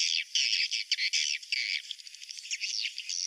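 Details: Swiftlet roosting call used to lure swiftlets: dense, high buzzy chirps in quick bursts with short gaps, some louder clustered notes, no low sounds at all.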